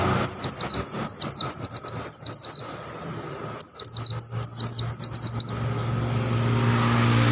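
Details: Pleci in lively song: two bursts of rapid, high, falling whistled notes, close-packed and accelerating, followed by a few faint notes as vehicle noise rises.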